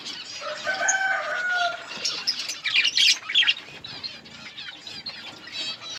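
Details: Breeding budgerigar colony with drawn-out whistled and warbled notes from several birds, followed by bursts of scratchy squawking chatter and some wing flutter.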